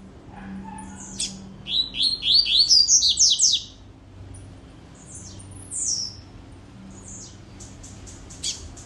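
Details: Rusty-collared seedeater song: a fast run of about eight sharp, down-slurred whistled notes, then scattered high chips and a thin descending whistle over a steady low hum.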